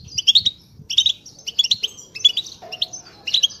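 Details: European goldfinches singing as a group to stir silent birds into song: repeated bursts of high, jangling chirps roughly every half second, lively and continuous, with a faint lower whistle.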